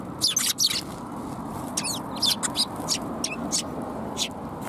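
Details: Sparrows at a shrine (Tenmangu) coming to be fed, recorded 28 January 2021; short sharp high chirps in scattered bursts, several overlapping, over a steady low background rumble.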